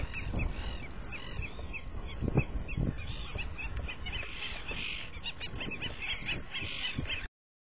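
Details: White-backed stilt (Himantopus melanurus), call.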